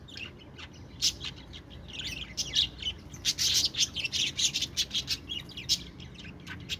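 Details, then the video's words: Budgerigars chatter, starting quiet and building into loud, rapid scratchy chirps and squeaky bursts in the middle, then tapering to scattered high notes. "parakeet chirping sounds | budgie sounds"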